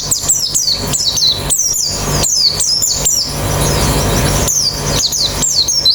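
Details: White-eye singing, used to coax other birds into fast, open-beaked song: bursts of high, down-slurred chirps repeated about every half second, broken by a noisy, fuzzy pause, with a low hum throughout.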